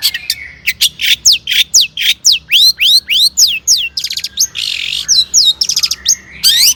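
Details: Long-tailed shrike singing steadily, used as a lure to make other shrikes sing, with mimicked phrases: a fast run of sharp rising whistles and buzzy chirps, about three or four notes per second.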